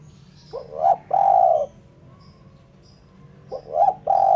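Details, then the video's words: Spotted dove, clean lure recording for trapping. A rising coo leads into a long sustained coo. After a pause of about two seconds, the same rising and long coos begin again. A low background hum can be heard. "Suara Burung Terkukur/Derkuku bersih cocok untuk PIKAt."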